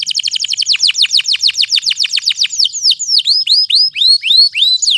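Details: Canary song used to prompt idle canaries to sing, also suited as a tutor for young canaries two to four months old: a loud fast series of downslurred notes slowing into spaced upward-hooked whistles.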